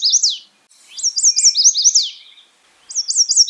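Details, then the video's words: High, sweet phrases from a Chestnut-sided warbler. A string of rising-falling slurred notes ends in a sharp downward flourish, then the song begins again. There is no other noise. "Bird Natural Sound.Chestnut sided warbler"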